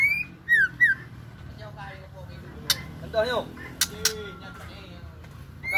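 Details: Female white-rumped shama singing: clear whistled notes and short falling slurred phrases, with some sharp clicks and faint voices behind.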